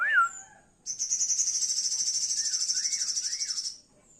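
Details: Male sooty-headed bulbul in the morning sun: a brief liquid whistle, then a sustained high buzzy trill lasting about three seconds, with soft looping whistles underneath.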